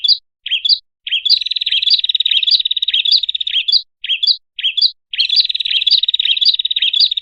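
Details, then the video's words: Lure sound of a red-headed prinia for attracting birds: a few high hooked chirps, then long rapid buzzy trills, chirps again, and another sustained rattling trill; nothing else audible. "suara pikat burung kecil PRENJAK kepala merah baru//di jamin 💯% auto nyamperin"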